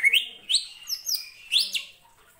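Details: Greater green leafbird (cucak ijo) singing to rouse other birds: sharply rising whistled sweeps and high slurred notes in quick succession over little more than two seconds.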